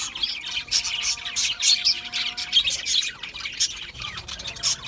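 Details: Seed-eating budgerigars produce bursts of shrill chirps and squawky warbles, rising and falling in loudness every half second or so, many birds calling at once.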